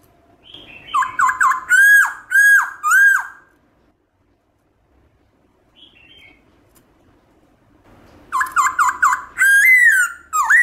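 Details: Forest-style song of a black-throated laughingthrush, played to spur pet birds to sing: bursts of loud, ringing, down-slurred whistles repeated about twice a second, separated by a long quiet gap with a soft short call.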